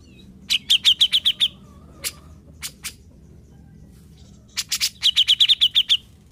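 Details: Grey-cheeked bulbul (cucak jenggot), a previously silent bird now singing, producing two short bursts of quick, sharp chip notes with a few isolated harsh clicks in between.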